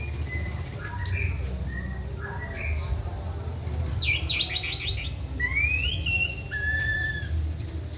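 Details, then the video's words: Orange-headed thrush kept as a tutor bird during mental training: scattered thin whistles and a quick stuttering series of notes, then clear rising and level whistled phrases, low hum beneath. "Melatih Mental Masteran Anis Merah"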